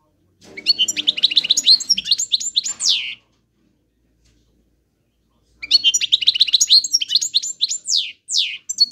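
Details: European goldfinch in song: two long phrases of fast, tinkling, buzzy twitters ending in sweeping downslurred notes, separated by a silent pause of over two seconds, with a faint low rattle beneath the first phrase.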